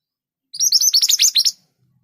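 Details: Mantenan gunung, the scarlet minivet, delivering a loud 'tembakan' burst: about nine quick, piercing high chirps packed into one second, sharply separated, followed by silence.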